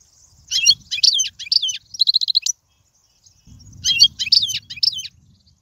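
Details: Goldfinch song used for teaching young birds: bright twittering notes in short groups, a quick buzzy rattle, a pause, then more tinkling chirps over faint low rumble.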